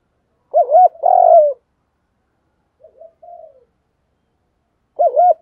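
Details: Spotted dove cooing in the 'giọng đồng thúc gù' style, used for training captive doves: one loud low phrase of a short coo and a long throaty buzzy note, then soft quiet coos and another phrase beginning at the end.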